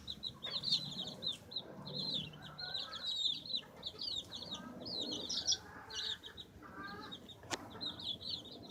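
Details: Baby chickens pecking and scratching, giving many short high peeping chirps in quick overlapping bursts throughout, with soft scratching and rustling below and one sharp click near the end.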